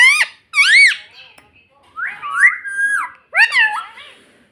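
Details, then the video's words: Parrot kept as a pet, talking "mummy": arched, nasal squawked syllables, then a longer gliding whistled phrase and a final harsh bent call in a small room. "Parrot Talking Mummy Mummy"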